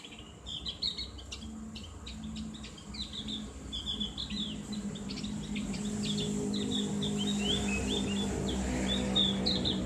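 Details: Tutor recording of Javan grey-throated white-eye for ngriwik chatter therapy, loud open delivery: rapid high chips in dense runs, then flowing slurred twitters, over rising low background rumble.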